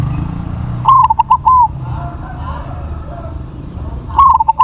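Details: Big-voiced crossbred zebra dove gives a stuttering, rolling coo of short beats finishing with a sustained falling note. A second phrase starts about three seconds later, over faint low noise.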